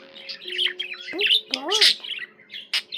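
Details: Budgerigar chatter indoors: squeaky chirps and crackly notes with a couple of smooth, arching whistled glides in the middle, a short lively burst.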